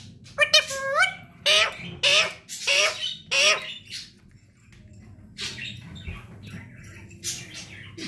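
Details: Pet parrot screeching: a stepped rising call, then four harsh, broadband squawks roughly every half second, followed by softer scattered squawks and rustling.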